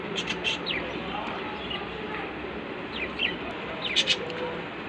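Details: A young pet Budgerigar chick gives brief, scratchy chirps and quick rising squeaks over a steady background hiss.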